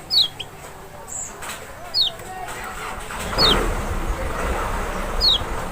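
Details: Kecial, the Lombok or Sumbawa lemon-bellied white-eye (Zosterops chloris maxi), played to stir a reluctant bird into calling: four sharp, high, downward-slurred notes spread over six seconds over a steady low engine-like rumble.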